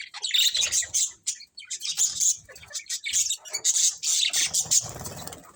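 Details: Budgerigars in a colourful colony produce loud, nonstop warbling chatter of sharp chirps and buzzy squeaks crowding one another, with a brief pause near the middle.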